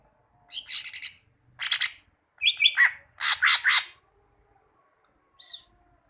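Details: A greater green leafbird, known locally as cucak ijo, sings a varied phrase of short buzzy clusters, slurred whistles and chattering notes in groups, ending with a lone high note; meant to teach caged birds.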